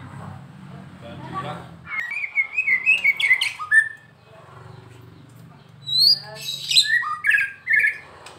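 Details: White-rumped shama from Medan, a kept songbird said to sing keenly every day: clear whistled notes in quick bursts, a pause near the middle, then high upslurred whistles and chattering phrases over faint background hum.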